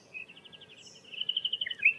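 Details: Striated pardalote (Pardalotus striatus) calling at a reserve near Adelaide, South Australia: a quick run of high, clipped notes, about six a second, with a second bird chiming in near the end, like a conversation.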